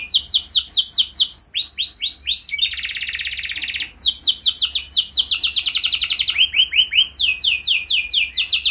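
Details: Canary singing as a lure to prompt other canaries into song, a long varied run of rapid repeated notes: falling slurred syllables, a dense buzzy trill, then quick chirping series.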